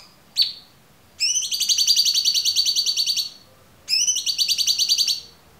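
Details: Cucak cungkok song, a clear master recording: a short sharp high note, then two long rapid high-pitched trills, the first about two seconds long and the second about one second, in a quiet background.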